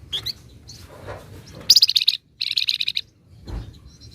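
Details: Flamboyan, a Sunda bush warbler, singing tightly packed 'ngebren' bursts with 'nyecret' chatter: short high chirps, then two rapid buzzy trains of repeated high notes separated by a brief pause, with faint low background rumble.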